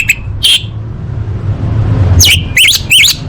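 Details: Female orange-headed thrush calling to attract males, played to make quiet birds sing: two sharp chirps, a silent gap, then three quick rising and falling whistled notes, over a constant low hum.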